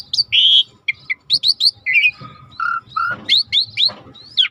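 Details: Lure song of the Asian pied starling, or jalak suren, for birds that stopped singing: a varied jumble of harsh buzzes, short rising whistles and low whistled notes delivered quickly.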